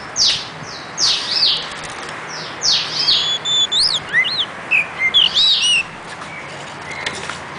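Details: Oriental magpie-robin song: a few raspy, high downward sweeps, then a run of varied, clear whistled notes rising and falling, over steady background hiss.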